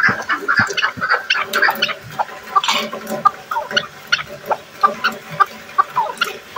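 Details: Chukar partridge gives harsh, clucking chuck notes, crowded and overlapping at first, then settling into a steady series about two or three per second.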